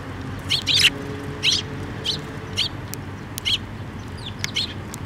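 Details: Sparrows flying in to take food on a bridge over water at a shrine, 5 May 2024: a loud double chirp near the start, then single chirps at roughly half-second to one-second gaps, fading toward the end over background hum.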